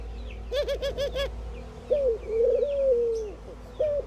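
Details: Indian ring-necked doves in the morning: a quick run of four short stuttered notes, then a brief note and a long steady coo that slowly falls away, with faint twittering of other birds above.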